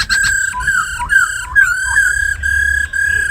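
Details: Caged laughingthrush, tamed, singing in forest style: an almost continuous loud rich whistle on one pitch, repeatedly broken by short dips and slurred wobbles about twice a second.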